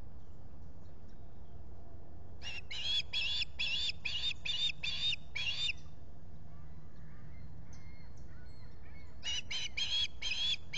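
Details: Osprey calling at the Salt Point nest in the Finger Lakes, USA, in July with a visitor present: a long run of high shrill chirps, a pause with faint distant notes, then another quick burst.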